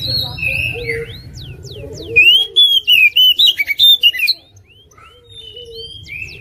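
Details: Oriental magpie-robin kept for song contests, national champion in 2021: soft chatter over a low hum gives way to a two-second volley of loud, piercing whistled notes, then quieter warbling.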